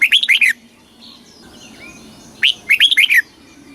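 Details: Red-whiskered bulbul in Thailand singing southern master-style phrases for exciting caged birds and tutoring young birds; two rapid bursts of four or five liquid, warbling whistles with a pause between.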